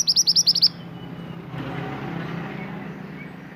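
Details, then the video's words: Pied bushchat, an Indonesian native bird, singing actively as tutor material for caged birds: a short rapid volley of about seven high piercing notes, then only low traffic noise. "BURUNG MANTENAN GACOR UNTUK MASTERAN"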